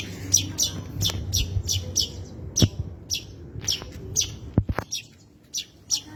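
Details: Long-tailed shrike singing in a rich, erratic style: sharp scratchy chirps and clicks in irregular bursts over about six seconds, with a low rumbling hum throughout.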